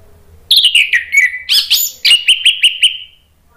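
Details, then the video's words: A male orange-headed thrush gives a quick answering phrase, played to prompt reluctant birds to sing: a downward-sliding run of rapid, sharp notes, then a steady series of about six clear, evenly spaced chirps that fade out. "ANIS MERAH JANTAN SPONTAN NYAUT ¦ PANCINGAN AM ¦ TERAPI MACET"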